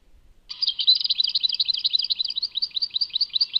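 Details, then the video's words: European goldfinch song labelled Tadmait: after a quiet start, a fast, unbroken twittering of bright, high, varied chirps and trills, liquid and tinkling, running without pause to the end. "Chant chardonneret Tadmait"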